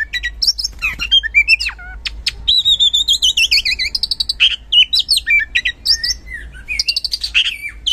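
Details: Oriental magpie-robin in full song as a singing lure: mixed chirps and sharp slurs, a long falling whistled phrase, then rapid varied chattering and high whistles, recorded close and clear.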